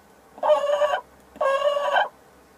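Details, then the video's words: Sussex hen while laying an egg: two drawn-out, nasal, harmonic calls, each about half a second long, with a short pause between them against a quiet background. "La Gallina Sussex poniendo un Huevo"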